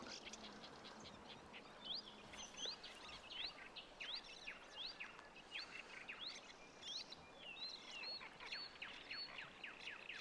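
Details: Marsh warbler singing on a summer night in a bird grove in Finland: a fast, varied stream of sharp chirps, rising whistles and buzzy notes, with faint background hiss.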